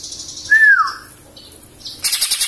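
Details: Greater green leafbird, a young cage bird in Samarinda that has just lost its juvenile spots and awaits moult, gives one pure whistle falling smoothly in pitch. Faint chirps follow, then a burst of harsh rattling.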